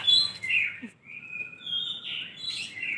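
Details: Lovebird singing: harsh chirps and buzzy, drawn-out squeaky notes, some held as thin flat tones, others sliding, with short bursts of chatter in a varied, continuous stream.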